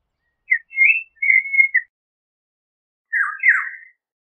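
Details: Eurasian golden oriole delivering a mellow yodelling whistle of several linked notes lasting over a second, then a fuller, slightly rougher warbled phrase after a short pause.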